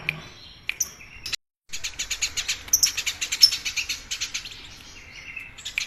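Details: Eurasian tree sparrow used as a song-training model, known for loud, varied, unbroken chatter: quick sharp chirps at roughly a hundred per minute after a short silence, with a few higher whistled notes.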